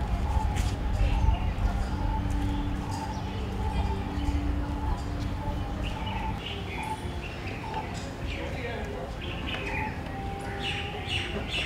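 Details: Barbets calling in a garden in Delhi among Californian poppies: mid-pitched hollow notes repeated steadily throughout, with a lower throaty rolling call in the first half, other birds chirping higher, and a constant low background rumble.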